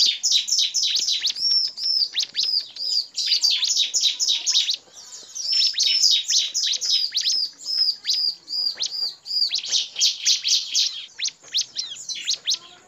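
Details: A lure recording of bar-winged prinia that combines a male's full song with female calls and other calls gives rapid, high, sharp chirps and ringing notes in dense bursts of several seconds, about four a second, with short pauses between.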